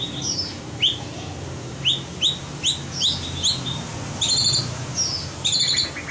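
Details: Competition-trained white-rumped shama giving sharp, high, down-slurred whistled notes, repeated irregularly about every half second, with clustered chattering phrases near the end over low background hum.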